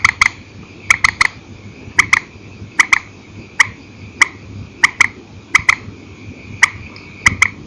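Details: Single and paired calls of a purple swamphen at night, taken from an old recording: short crisp notes, often doubled, spaced roughly every half to one second, with a faint high drone.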